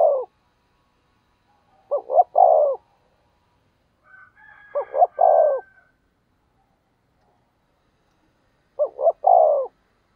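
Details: Spotted dove used as a decoy, cooing to goad wild doves. Phrases of two brief notes and a long coo recur at uneven gaps of two to four seconds, with a brief faint chirp in one pause.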